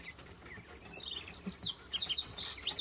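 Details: Indigo bunting (Passerina cyanea) singing in the morning in West Virginia, 8 June 2023, after returning in spring: a quick run of high, sharp, slurred notes, many clustered in pairs, growing louder after the first second.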